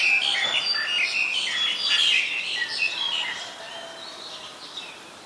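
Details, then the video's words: Black-collared starling in Ubon Ratchathani, Thailand, on 2 January 2020, producing a dense run of harsh, squeaky chattering and whistled notes that fades out over the last seconds. "นกกิ้งโครงคอดำ Black-collared Starling"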